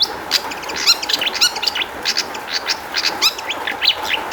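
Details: Long-tailed shrike song played as a lure to prompt caged shrikes to answer: a busy run of rapid harsh chirps and trills, densely packed and uneven, over a constant background hum.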